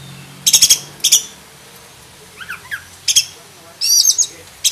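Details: Black-breasted oriental magpie-robin (kacer dada hitam) singing a song full of mimicked fills (isian), offered as tutor song: short bright high chirping bursts spaced a second or more apart, with soft twittering between and a faint low hum behind.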